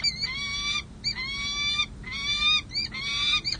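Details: Two wild peregrine falcons bonding on a city hall ledge in San Jose, California, mid-July 2024, after breeding: long, whining, strongly harmonic calls, slightly rising, given in close succession with brief gaps between them.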